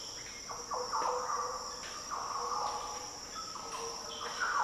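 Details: Soft, deep fluty phrases of a Green Oriole in the Daintree rainforest, Australia. Notes rise and fall gently beneath a strong, steady insect hum.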